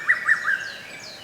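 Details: Lesser cuckoo singing in a forest park on 15 May 2024, unseen, recorded by a fixed camera: three loud, clear whistled notes at a steady pitch, then fading echo, with faint high bird calls behind.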